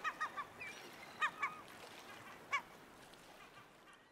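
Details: Black oystercatcher giving short, piercing whistled notes: a quick triplet of sharp peeps, a pause, then a pair and a single loud note, fading out over a soft rushing background like surf.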